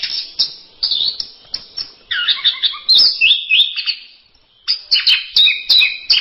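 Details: Orange-headed thrush singing in masteran style: loud, fast bursts of high chirps and slurred whistles, roughly three per second, a dense warbling stretch in the middle, a short lull, then more rapid phrases.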